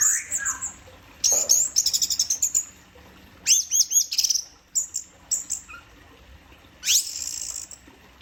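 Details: Orange-headed thrush singing in "teler" style: bursts of high, rapid chattering trills and sharp whistled phrases separated by short pauses, with a few soft lower whistles.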